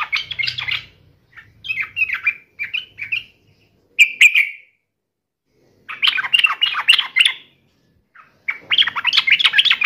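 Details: Sooty-headed bulbul singing in agitated fighting mode: bursts of chattering, bubbly whistled phrases, each lasting one to two seconds, separated by short pauses, with a faint low hum beneath the first bursts.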